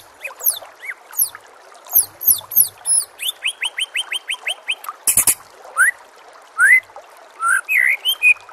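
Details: White-rumped shama master song, meant to make kept shamas sing: steep high chirps, a rapid series of rising whistles, a loud click near the middle, then rich varied whistled phrases.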